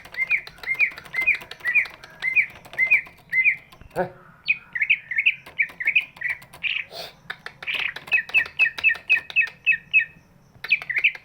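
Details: Big-bodied greater green leafbird singing, a song used to prompt reluctant birds into singing: rapid series of bright, hooked whistled notes repeated many times, one broken burst midway, with a faint low hum behind.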